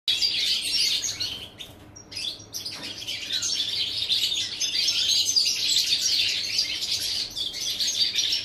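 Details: European goldfinch recorded on 11 September 2018: a dense, tinkling twitter of rapid high notes runs almost throughout, dipping briefly around two seconds before resuming with steady liquid chatter.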